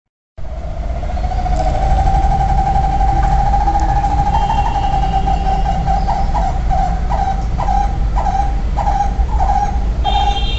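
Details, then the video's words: A barbet gives mid-pitched hollow notes, about two per second, over a steady hum and a heavy low rumble like traffic. "This bird makes amazing sound"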